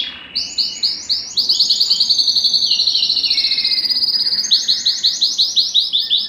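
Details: Canary song played to stimulate mating: several spaced rising notes, then a long rapid rolling trill, a lower rolled phrase, and a final series of slower repeated upswept notes.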